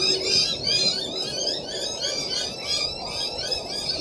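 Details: Noisy Miners giving harsh, scolding chatter meaning "you annoy us, go away", used when something on the ground bothers them: rapid grating notes about three per second, overlapping in a dense chorus.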